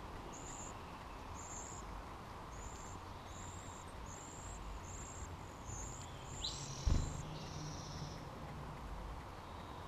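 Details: Eleven-day-old junco nestlings in a hanging-basket nest under a house eave in Mountlake Terrace, WA, being fed by a parent, give very high, thin, short peeps about once a second, with a brief thump near the end over a steady low rumble.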